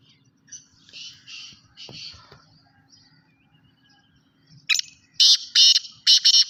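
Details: Sindhi black francolin, or kala teetar: soft buzzy notes at first, a quiet pause, then a series of four loud, grating, harsh bursts about half a second apart over a faint low hum.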